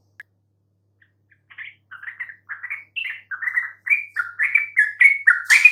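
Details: Yellow-vented bulbul singing to bait others into answering. A few faint isolated notes open the recording, then a run of quick gurgling notes builds steadily louder toward the end.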